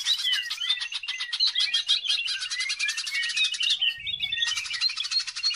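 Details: Vigorous greater green leafbird song, used as a lure for training other birds: an unbroken stream of fast, rattling notes with slurred whistles woven through, a brief low thump midway.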